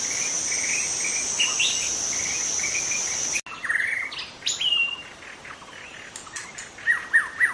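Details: White-rumped shama from the forest, natural voice meant to attract other shamas: halting whistles and downslurs, then clearer bright repeated notes after a cut, insect whine fading out midway.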